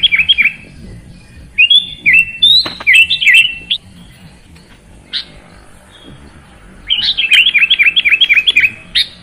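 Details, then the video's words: Sooty-headed bulbul (kutilang) singing in short bursts of bright, warbling chirps, a pause, then a fast run of about ten rapid, evenly repeated whistled notes near the end; faint low rumble underneath. "Terapi Burung Kutilang Malas Bunyi Jadi Gacor"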